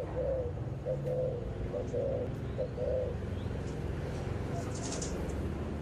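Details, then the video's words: Spotted dove cooing in 'âm bầu' (thổ bầu) style on the afternoon of 28 November: a run of soft, low coos over about three seconds, then fading, with constant low background rumble and faint high chirps. "ÂM BẦU"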